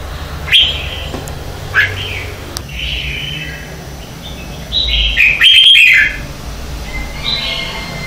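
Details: Red-whiskered bulbul singing at dawn as a lure for training: scattered short whistled notes, then a louder rich warbled phrase near the middle and a thin trailing whistle, over steady low background noise.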